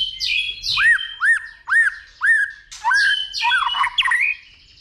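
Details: White-rumped shama giving a fighting song, stimulated by a female: series of arched whistled notes about twice a second, followed by harsher chattering phrases with rising inflections.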